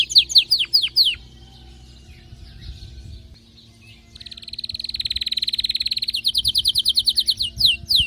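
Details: Canary in excited song, opening with descending whistled sweeps, a quieter pause, then a fast rolling trill of rapidly repeated notes and another run of sharp downward sweeps.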